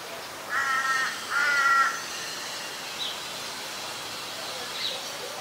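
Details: White-vented myna in Ubon Ratchathani, Thailand, 18 January 2021, giving two harsh, buzzy, croaking notes in quick succession, each about half a second long, followed by faint background chirps.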